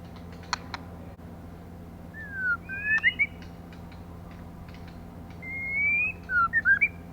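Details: Female white-rumped shama used to stimulate males: slurred descending and rising whistles in small groups, then a long rising whistle and short twisting notes, against a noticeable hiss and scattered clicks.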